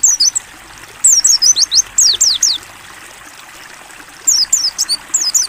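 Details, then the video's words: Ngalas-style song of a pleci, the mountain white-eye, as a training recording: three rapid phrases of piercing high, descending whistles, each several notes long, separated by quiet gaps with soft water noise. "AUDIO MASTERAN PLECI NGALAS BUKA PARUH JERNIH"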